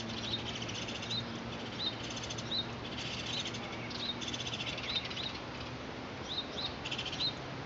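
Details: Three Hooded Oriole chicks being fed by the female, 25 April 2019, give bursts of harsh, raspy begging chatter mixed with short high chirps about every second, over a steady low mechanical hum.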